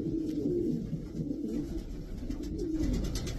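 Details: Brief take of twelve indoor Davy Van Roy racing pigeons: two low, rolling coo phrases with a slight rising inflection over muffled room noise.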